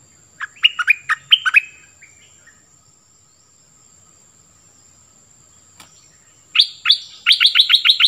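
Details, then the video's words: Decoy cream-vented bulbul with two short bursts of chattering, falling notes, a long quiet stretch, then a faster series of sharp, evenly spaced chirps near the end. "เสียงนกดอกแตงเจ้าเพชรEp.15 ของขึ้น!!นกป่าหายหมด Burung merbah lekir gacorbahanan"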